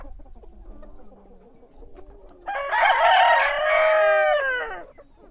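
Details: Loud rooster crow at dawn, a harsh, rich cock-a-doodle-doo of about two and a half seconds with several chickens' low clucking and murmuring beforehand.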